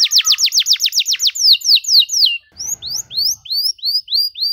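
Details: Canary singing an elaborate song for teaching young birds: a quick series of sharp downslurred whistles slowing into a few longer slurs, then evenly spaced rising whistled notes about four per second.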